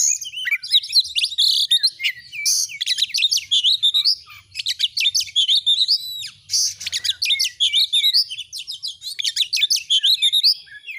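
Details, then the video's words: Oriental magpie-robin in loud, lively song, used as a training recording to excite birds into puffed-up display. Rapid, varied chirps, buzzy notes and slurred whistles pour out almost without pause, with short staccato bursts repeated through the phrase. "Masteran burung Kacer AUDIO JERNIH BUAT ANGKAT EMOSI AGAR CEPAT ON NGOBRA,Kacer gacor"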